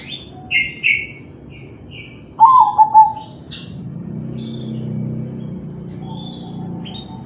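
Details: Zebra dove of crossing stock singing kalung tempuk, for luring other doves: high chirps from other birds, then one short trilled coo phrase, followed by a low rumbling background noise and faint notes.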